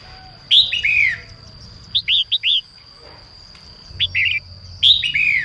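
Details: Female red-whiskered bulbul singing in the morning to prompt newly caught birds to start singing: a rich downslurred warble, then three quick liquid notes, a brief pair, and another slurred phrase, over a steady high whine.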